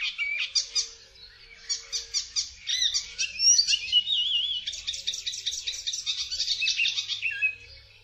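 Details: Icterine warbler singing a fast, varied song of high notes and short phrases. Each note type is repeated several times before it switches to another, with a wavering whistle in the middle. Faint low hum below.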